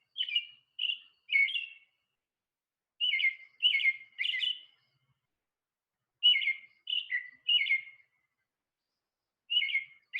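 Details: American robin giving its typical song: clear, whistled, caroling phrases, each rising and falling, in bursts of two or three with short pauses. Each phrase is a song in itself, and the male pieces them into his own individual sequence. Nothing else is heard.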